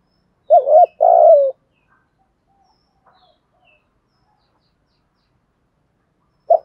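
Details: Spotted dove kept as a decoy, calling the flock at dawn: a quavering coo and a longer buzzy note in quick succession, then about five seconds of near silence before one brief coo begins.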